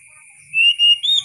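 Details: Oriental magpie-robin song in a wild style: two clear, drawn-out whistled notes, then a third higher whistle, each about a quarter second long, over a faint steady high hiss.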